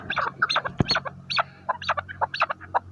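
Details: Chukar partridge kept as a hunting decoy bird, calling with a series of short, hoarse, clucking notes in uneven bursts, plus one sharp low knock.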